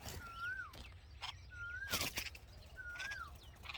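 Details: Red-vented bulbul mother at the nest with hungry nestlings: three whistled notes, each level then rising and falling, roughly every 1.3 seconds, with sharp clicks and rustles and faint high chirps around them.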